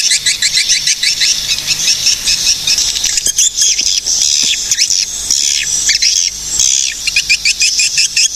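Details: High, dense twittering of swiftlets in Cilacap, Central Java, Indonesia. Strings of quick chirps alternate with longer shrill, sweeping squeals and scattered dry clicks.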